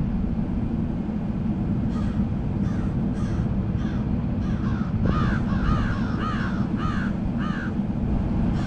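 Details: A flock of crows calling: faint scattered caws at first, then a run of loud, hoarse, arched caws in quick succession, several birds overlapping, over a steady low rumble of background noise.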